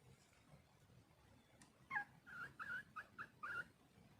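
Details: Female red junglefowl calling for a male: a quiet run of short, bent, nasal notes, about six in under two seconds after a near-silent start, over low background hiss.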